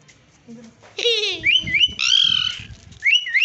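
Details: Slaty-headed parakeet giving a harsh, stacked squawk, then a quick series of short, shrill whistled notes that rise and bend, with a buzzy harsh note in the middle and faint low murmurs behind.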